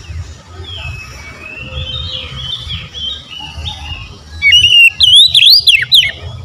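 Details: Oriental magpie-robin singing: after soft, distant warbling, a loud burst of sweeping, rising and falling whistled notes with sharp chips breaks in near the end.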